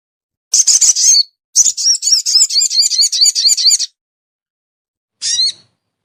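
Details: Sogon lure call used to draw down birds that are hard to bring down: bursts of dense, high, scratchy chattering notes in quick rattling series, a long run in the middle and a short final burst.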